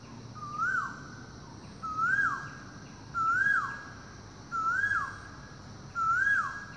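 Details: Morning calls of an Asian koel ringing through forest: five loud whistled notes, each sliding up then curling down, repeated roughly every 1.3 seconds over a faint low rumble.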